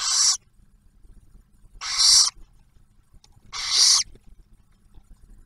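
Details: Inside a barn owl nest box at an Oak Harbor, Ohio wildlife refuge, the male arrives with food and the female feeds the first owlet. Three loud, noisy screeches are spaced about one and three-quarter seconds apart over quiet background.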